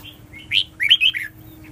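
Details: One brief, bright phrase from a red-whiskered bulbul: a short rising chirp followed by a quick tumbling warble of several liquid notes, all within about a second.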